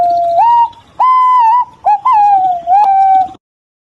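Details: Green pigeons calling back and forth with mellow whistles that rise, hold steady, then waver and slide downward, in several separate phrases with brief pauses between them.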